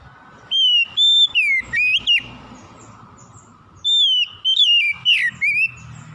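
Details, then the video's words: Oriental magpie-robin, a trigger for restoring a lazy singer. Two separate bursts of clear, drawn-out whistles and downslurred notes, split by a pause filled with low background murmur. "PANCINGAN SANGAT AMPUH MEMULIHKAN KACER MALAS BUNYI CEPAT GACOR"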